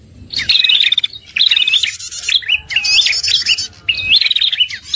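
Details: Prinia lure call used by trappers to draw in prinias, of a red-headed type: loud, high chirped phrases of rapid wavering notes repeated in bursts about every second, with short gaps between.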